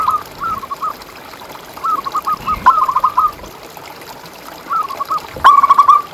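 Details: Local zebra dove singing as a lure and master recording for training caged doves: three bursts of short, soft, cooing notes in quick staccato runs, with a brief click near the end.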